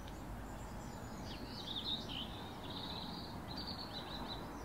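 Swallow-tailed hummingbird giving thin, high, squeaky twittering notes in a loose run, partly buried under steady low rumbling background noise.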